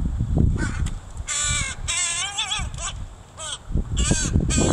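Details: Mother crow with her young while teaching it to forage, recorded 26 July 2019: a run of harsh, strongly harmonic caws in several bursts, some with a wavering pitch, over low rumbling background noise.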